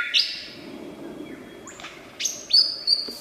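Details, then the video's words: A wild superb lyrebird, an Australian mimic, gives a few bright, high whistles and sharp rising sweeps in quick, uneven bursts over a soft background hiss. "Burung Peniru Terbaik, Burung lyre kecapi / lyrebird"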